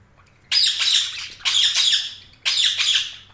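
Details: Three loud, grating chirp bursts from a budgerigar, each lasting close to a second with short gaps between, over faint low background hum.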